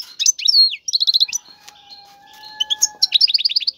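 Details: Male European goldfinch singing forcefully in a cage to stimulate a female to mate: rapid twittering, trilled bursts of high notes interspersed with sliding whistles and a steady thin tone in the background.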